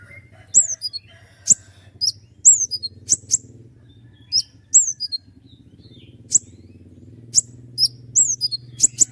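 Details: Common iora singing energetically with sharp, high accents for training other songbirds. Piercing downslurred notes come in irregular pairs and triplets with pauses between, against a faint continuous low hum.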